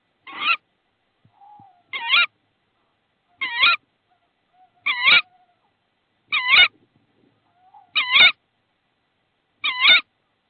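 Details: Tawny owls in Estonia on 22 March 2016, as the male brings a frog as prey to the nest: short, wavering, nasal calls rising and falling in pitch, repeated about every one and a half seconds.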